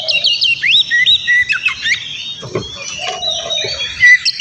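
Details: Oriental magpie-robin (kacer) singing to provoke a rival, quieter here: short whistled slurs and clipped notes in quick bursts, a brief low rasp midway, faint low hum beneath.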